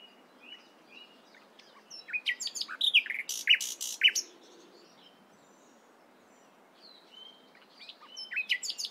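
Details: Nightingale in the morning giving scattered short whistles and sharp clicking notes, with a loud burst of stuttering strokes in the middle and a quieter gap before the phrases resume.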